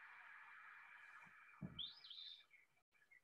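An Eastern Phoebe gives a single short, burry two-part 'fee-bee' phrase, high and slightly rough, over a steady background hiss with a low thump just before.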